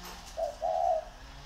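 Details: Captive Spotted dove used as a decoy, one of two competing birds in Ba Vì district, Vietnam: one short low coo followed by a longer, steady, mellow coo.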